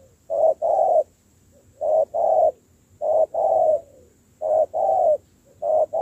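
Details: Decoy-training spotted dove, caught from the wild, repeats a two-part coo: a clipped first note and a fuller second, five pairs spaced about every one and a half seconds.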